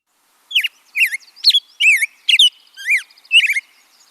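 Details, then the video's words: Black-headed Grosbeak sings a rich, robin-like warble, "a robin with professional singing lessons", of short whistled phrases rising and falling about twice a second, in a clean recording. "Then the third species, black-headed grosbeak, is a robin that has undergone professional singing lessons."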